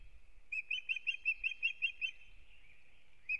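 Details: Osprey pair at the nest in Kurzeme, Latvia, starting a new breeding season on 9 April 2022; a run of about nine sharp, whistled chirps, evenly spaced and slightly rising, then a pause and one final chirp, with faint low rumble.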